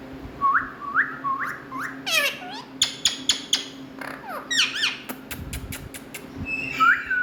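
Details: A pet talking ringneck (Indian) parakeet gives a string of short rising whistles about twice a second, then sharp clicks, harsh sweeping squawks and varied whistled phrases in a small room.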